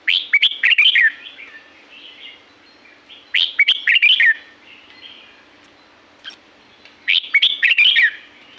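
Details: Red-whiskered bulbul singing in nature at Pa La-u forest, Thailand: three bouncy, warbled whistle phrases a few seconds apart, each of several quick notes, with a faint single chirp between and a steady low hum.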